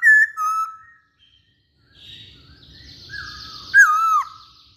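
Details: Chinese hwamei giving loud, clear whistled notes: two short fluty phrases, a quiet stretch with soft hiss, then a strong whistle rising and curving downward.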